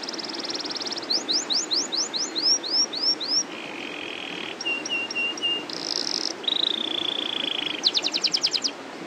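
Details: Canary, an Indonesian singing bird, in a long rolling song: trills of rising whistled sweeps, a low steady buzzy roll, sharp clipped notes and a fast rattling burst, each phrase running several seconds.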